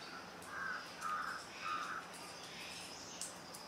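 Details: Juvenile grey hornbill giving three harsh, nasal calls in quick succession, each about half a second long, followed by quiet with faint high background hiss.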